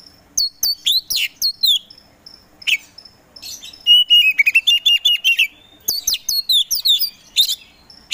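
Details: A kacer poci magpie-robin kept as a contest songbird, singing in full voice: high, sharp downslurred whistles in quick clusters, a rolling chattered trill in the middle, then more high piercing whistles.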